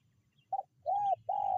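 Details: Lure call of a spotted dove meant to attract wild birds: a brief clipped note, then two drawn-out smooth coos in quick succession, clean and mid-pitched over a faint low hum.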